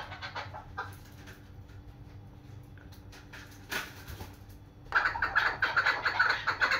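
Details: Female chukar, a local hunting-decoy bird, gives quick clucking chuk notes, a few at first, then a dense, excited run of about two per second, over faint background noise.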